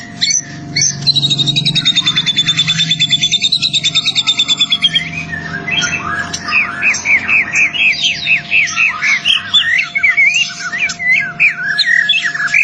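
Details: White-rumped shama song for training captive birds: a high rapid trill that gives way to varied, mid-pitched chirps and slurred whistles, with a steady electrical hum underneath.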